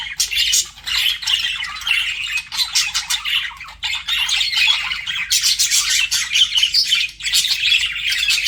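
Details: Flirting budgies chatter in fast scratchy bursts mixed with thin whistles, swelling louder in waves around the fifth and seventh seconds.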